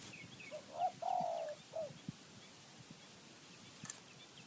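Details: Wild spotted dove from high mountain forest, Thailand: one clear cooing phrase of soft lead-in notes, a long hoarse slurred coo and a short final note, with faint chirps of other small birds and a quiet background.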